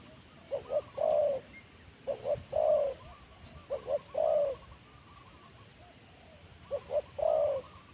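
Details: Spotted dove used as a decoy to lure wild spotted doves, recorded at spot 136: soft low coos in short phrases, two brief notes then a longer drawn-out coo, repeated about every one and a half seconds, quiet rural background.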